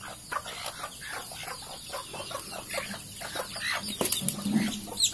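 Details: Junglefowl from Sumatra held in captivity, clucking in quick short notes about twice a second amid background hiss, small-bird chirps, and a few sharp knocks toward the end.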